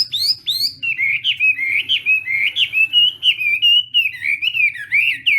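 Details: Chinese hwamei singing in the morning to practise its voice: two high sharp notes, then a flowing run of rich, rising and falling whistles at an even, rapid pace.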